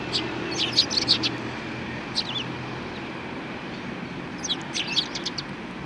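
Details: A group of sparrows on 2 January 2019 chatters in busy, overlapping high chirps at the start and end, partly masked by a continuous rumbling background of traffic-like noise.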